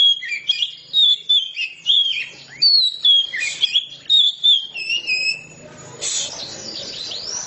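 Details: Ngeplong-style singing by an Oriental magpie-robin: a run of sweet, sliding whistles and chattering notes, ending in a harsher, scratchy burst near the close.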